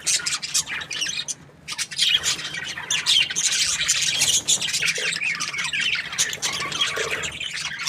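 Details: Happy pet budgerigars chirping: dense, continuous high chatter of squawks, warbles and buzzy notes from several birds at once, with no clear pauses.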